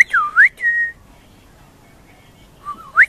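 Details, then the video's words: Juvenile pied butcherbird singing very high: clear whistled notes that dip then sweep sharply upward, a steady whistle, a quiet gap, then another low whistle rising steeply at the end. "Baby Pied Butcherbird singing very high pitch"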